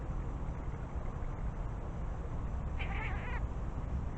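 A Eurasian jay gives one brief, cat-like mewing call lasting about half a second, over a steady low rumble of wind or distant traffic.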